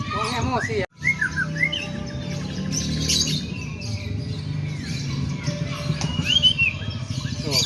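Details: White-rumped shama singing in a sooty-headed bulbul style: a few short, bright rising whistles with soft chirps, set over a steady low hum and background noise.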